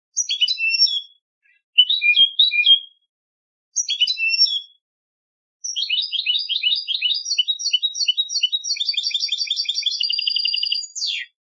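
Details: European goldfinch competition song: short twittered phrases separated by pauses, then a long continuous run of rapid tinkling notes ending in fast repeated trills and a descending buzz.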